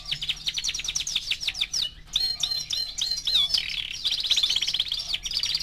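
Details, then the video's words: Young canary, four months old, delivering fast bright song: quick chip series, sliding whistles and a dense warbling trill, almost without pause. "Кенар №1 ( 4 месяца)"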